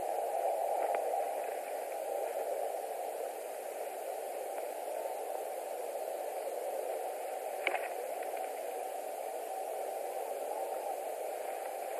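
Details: Only steady hiss and static are heard, with a couple of faint clicks and no animal voice.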